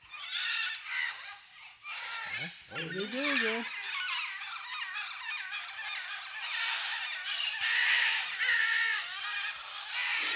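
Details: Many macaws at a nesting clay cliff in Madidi National Park, Bolivia, give a dense chorus of harsh, raspy squawks while pairs fight over nest holes, watched from a viewing tower. A person speaks briefly early on.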